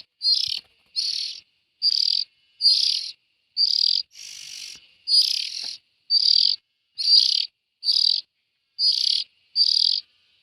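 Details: Calls of young bulbuls: a steady series of about thirteen short, scratchy, buzzing bursts, roughly one every 0.8 seconds over ten seconds, with silence between.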